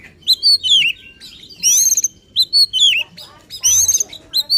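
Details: Oriental magpie-robin giving agitated song used to provoke other magpie-robins: loud, varied whistled phrases sweeping up and down with sharp chirps, broken by brief pauses.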